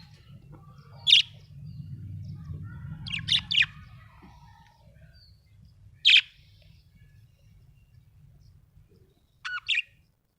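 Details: Budgerigar giving a few short, sharp chirps spaced irregularly over several seconds, some doubled, against a low background rumble that fades midway.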